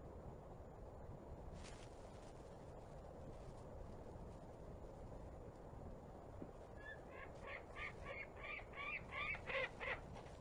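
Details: White-tailed eagle at its nest on Smøla, Norway, 10 January 2018 around 16:05, calling as another eagle flies by. Steady wind rumble, then from about seven seconds a quickening run of yelping, clipped notes, roughly three per second, growing louder.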